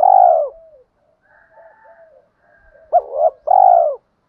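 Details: Male and female spotted doves cooing, used as a lure to provoke a rival to coo back and fight. A loud, low, falling coo opens, soft wavering murmurs follow, then a hiccuping double note and a final strong falling coo.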